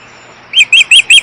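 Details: Female osprey calling from her nest with two chicks on a nest camera in Missoula, Montana, on June 22, 2011, sounding upset: four short, sharp, high chirps in quick succession, each clipped and bright.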